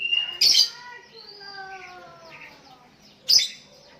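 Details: Sooty-headed bulbul calling to a rival as other bulbuls answer; two loud bright bursts framing a soft, descending set of tonal notes.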